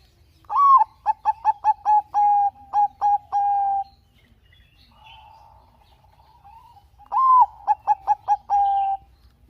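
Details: ['Zebra dove of the Bangkok type, singing gacor as a lure to stir reluctant doves into song: two phrases, each a rising slurred coo, then rapid clipped notes and a long level final coo, with a quiet pause between.']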